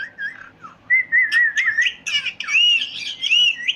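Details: Parrot chirping: clear whistled notes near one pitch, wavering and sliding, then higher bright chirps and rising whistles run together in quick succession.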